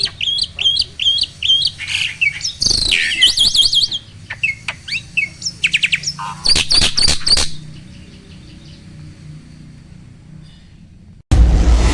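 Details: Black-winged starling song meant to prompt lazy caged birds to sing: rapid repeated whistled phrases, harsh buzzy bursts and loud rasping notes, then quieter background and an abrupt loud noise at the end.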